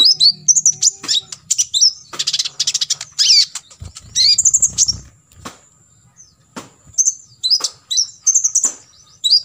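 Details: A master recording for training birds to imitate: an olive-backed sunbird gives 'full tembakan isian' song, with choppy high trills and chattering bursts, bright up-and-down squeaks, and a short pause before resuming sharp chips.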